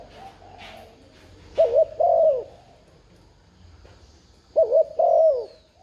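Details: Urging coos of a spotted dove, meant to set off a newly caught dove: soft background murmur, then two low phrases, each a brief double hoot followed by a longer coo that sinks at the end.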